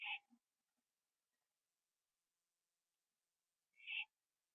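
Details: Owl late at night on a porch, September 21 2011, finishing off a gopher and then joining a companion owl in a tree; two rough hissing screeches, each with a lower undertone, nearly four seconds apart.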